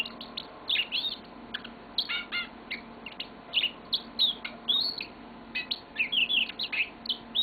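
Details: Pet yellow-fronted canary singing its long song: a lively run of sweet chirps, quick rising and falling whistled notes and short trills, with brief gaps, over a faint steady room hum.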